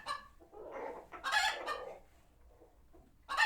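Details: Chickens at a farm sanctuary after a hawk was spotted; a few low clucks, then a loud harsh squawk burst, a quiet stretch, and a sharp call at the end.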